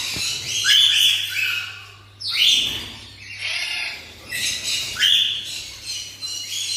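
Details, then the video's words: Black-winged lory (blue-cheeked lory) kept as a pet in Bhubaneswar, Odisha, India, producing repeated loud, grating screeches with upward sweeps, about five bursts in under seven seconds, over a steady low electrical hum. "Black Winged Lory II Blue Cheeked Lory"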